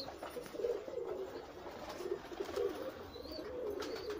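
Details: Numerous pigeons coo together in a continuous low, rolling murmur, with one thin high rising chirp late on.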